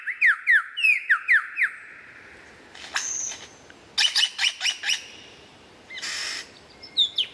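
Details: Lyrebird giving quick paired downward whistles, then scattered dry clicks and rasping bursts separated by short pauses.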